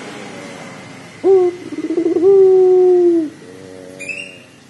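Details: Pelung dove phrase used as a lure to start another dove calling: a single sharp note, a rapid throbbing trill and a held level low coo, somewhat quieter over a faint steady background hum and a brief high chirp afterwards.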